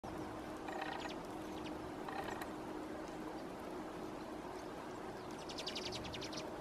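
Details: Common redpolls feeding at a feeding station in Helsinki, Finland, in January, in a mildly aggressive interaction, give three short bursts of buzzy, chattering notes about two seconds apart, the last longest, over steady hiss.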